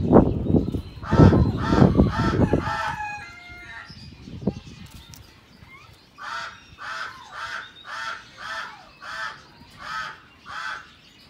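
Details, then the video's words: White-cheeked turaco (Menelikornis leucotis) in an aviary in Heemskerk, Holland, giving a steady series of about eight harsh, barking notes, roughly two per second, after loud rumbling and honking sounds. "White-cheeked Turacos"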